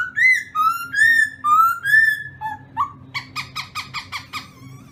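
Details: Morning training song of a black-throated laughingthrush: loud, rich whistles alternating high and low over two seconds, then a quick run of short, evenly spaced notes that fades off. A steady low hum is in the background.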